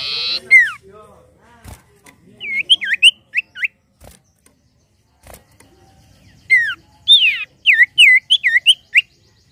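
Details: Common iora, 'bahan' bird lure recording: a brief rasp and falling whistle, then scattered hooked whistles; later a second burst of rasp, slurred whistle and a fast chain of bouncing up-and-down notes.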